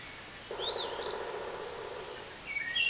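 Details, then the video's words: Pileated woodpecker drumming near a woodshed in eastern Pennsylvania on May 21, 2017: a steady, hollow roll of rapid beats lasting nearly two seconds, with other birds, including a wood thrush, whistling and chirping. "Pileated Woodpecker Drumming"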